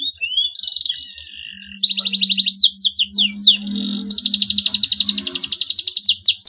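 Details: Canary singing to stir rivals into song: rising whistles, buzzy rapid trills and a long bright rattling trill, over a steady low hum in the background.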